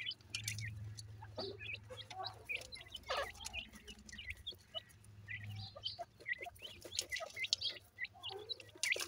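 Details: Grey francolin chicks keep up a steady chorus of thin, high cheeps and chirps, densely overlapping, over a low humming drone.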